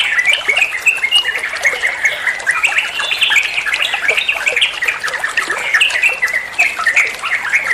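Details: Olive-winged bulbul (trucuan), recorded as tutor song for training songbirds: dense, continuous chattering of bubbly, warbled notes, with short rising and falling phrases overlapping one another, over a faint trickling background.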